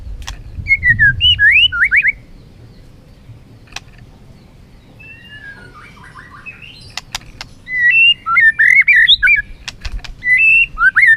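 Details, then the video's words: White-rumped shama singing in competition while flicking its tail: bright, varied whistled phrases with sharp upslurs and downslurs. Sharp clicks come in a quieter middle stretch, then a dense run of rapid, repeated whistles follows. "Chòe lửa hót đấu, đập đuôi cực hay."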